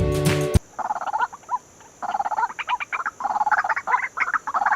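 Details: White-breasted Waterhen (Amaurornis phoenicurus) gives its loud, repetitive croaking call in quick bursts of harsh nasal notes; a brief snatch of music comes just before.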